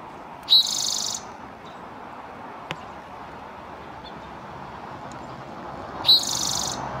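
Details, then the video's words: Male Spotted Towhee in northern California in March 2024, springtime, singing, probably seeking a mate or claiming territory: two brief clear notes each dropping into a dry, buzzy trill, about five seconds apart, over soft steady hiss. "Spotted Towhee singing"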